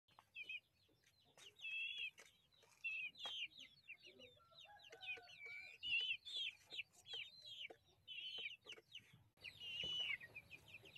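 Ayam Cemani chickens give high, squeaky chirps and short trilled calls that come in quick bursts, several birds overlapping, with a few lower clucks underneath.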